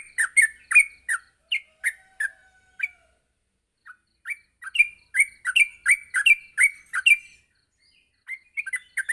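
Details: Yellow-vented bulbul recorded in the morning as a training song for young birds: bursts of bubbly chirping notes, a brief pause near the middle, then a fast cluster of repeated notes and a final short burst.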